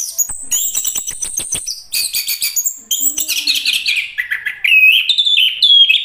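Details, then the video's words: Chestnut-capped thrush (anis kembang) singing: high, rapidly varied whistled phrases and twittering bursts, some sliding down then levelling into clear ringing notes, with a few sharp ticking clicks early on. "anis kembang bang jago nyanyi"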